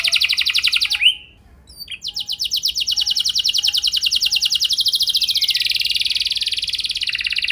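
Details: Canary lure song for stirring other canaries to sing: a dense buzzy trill, a brief pause with a soft note, then a long, very fast, even trill rolling on for over five seconds.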